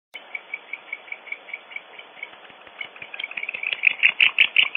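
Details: Barn owls at a nest cavity on Audubon Starr Ranch, California, caught by a nest camera during an intruder episode: a steady series of short squeaky notes, about two to three a second, that grows into louder, overlapping, rasping cleaks near the end.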